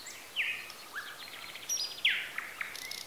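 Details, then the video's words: Birds calling in the countryside of Bessarabia, Ukraine, via Zoom H4n: scattered short downslurred whistles and chirps from more than one bird, with faint high tones and steady background hiss. "Sounds of nature. Birds. Звуки природы.Птицы"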